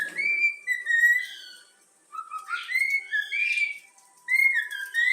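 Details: Pet yellow-cheeked cockatiel whistling the Flamengo anthem it was trained to sing, a string of clear tonal whistled phrases, some rising and some falling, with short pauses between them, indoors.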